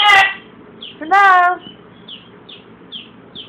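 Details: Blue-and-gold macaw, a pet bird with a cold, imitating a cough: an abrupt raspy burst at the start, then a drawn-out harmonic squawk, with soft high chirps behind.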